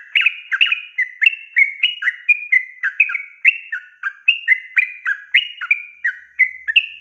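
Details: Tutor song of a yellow-vented bulbul in the long 'ropel panjang' style meant for young birds: continuous chatter of quick liquid two-part notes, high slurs falling into lower ones, repeated several times a second without break.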